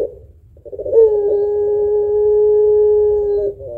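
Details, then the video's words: Puter pelung dove, kept as a singing lure for other birds, delivers a single drawn-out steady coo of nearly three seconds after a brief rough note, in a quiet room. "Burung Puter Pelung Gacor Suara Panjang Kuwok Tebal Cocok Buat Pancingan"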